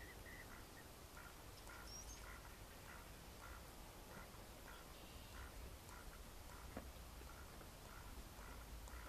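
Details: Mallard ducks recorded in May 2014: a steady run of short, nasal quacks repeated roughly every half second over a constant low background rumble.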